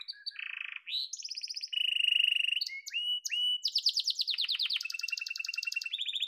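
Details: Domestic yellow canary song: low whistled notes, a loud level trill, short upslurs, then a rapid descending chirp series and high rolling trills, clean and unaccompanied.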